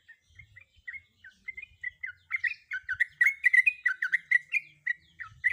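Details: Sooty-headed bulbul female, in breeding condition, calls to a male: scattered soft chirps build into a loud, rapid chattering run of rising and falling notes, with faint low thumps underneath.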